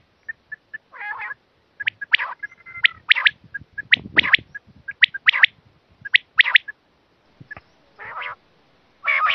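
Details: Quail call used to lure quail for hunting: sharp, high chirps in quick pairs and triplets, mixed with short raspy, buzzy bursts, spread irregularly over the recording against a quiet background.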